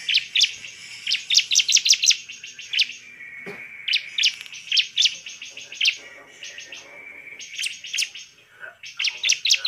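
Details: Lure song of a lively bar-winged prinia meant to provoke rival birds: rapid strings of bright, high, clipped chirps that come in repeated bursts over several seconds, over a faint steady background tone.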